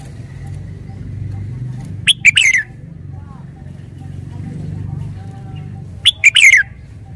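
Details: Caged red-whiskered bulbul repeats the same short, bright three-note whistled phrase twice about four seconds apart, each ending in a falling slur, with steady low hum between.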